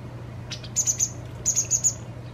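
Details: Fledgling white wagtail two days before independence, fed its fill by a parent; thin high chirps in two quick bursts of three to four, over a steady low hum.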